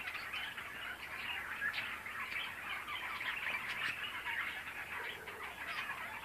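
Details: A flock of budgerigars in an aviary at Pfühlpark, Heilbronn, Germany, keeps up a steady, dense chatter of warbling chirps and squeaks, overlapping without pause.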